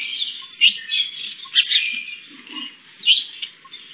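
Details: Sparrows heard through a CCTV camera around World Sparrow Day. They make a steady stream of high, bright chirps with a few sharper, louder tweets standing out.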